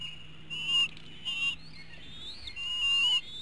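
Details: Eaglets at an eagle nest in Hanover, Pennsylvania, at dinner time on 5 April 2017, late afternoon, one missing out on the meal; three high, thin whistled calls with a wavering, slightly rising inflection over a few seconds.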